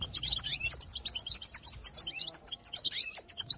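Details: European goldfinch song, played to excite other goldfinches: a rapid, continuous twitter of thin chirps and buzzy trills, with notes tumbling up and down and repeated several times a second.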